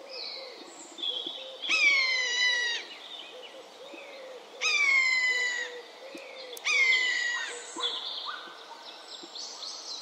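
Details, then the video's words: Common buzzard repeating its long, descending, plaintive mew three times at intervals of roughly two to three seconds, while low cooing notes and scattered small-bird chirps run through the background. "Голоса птиц. Канюк обыкновенный. Buteo buteo"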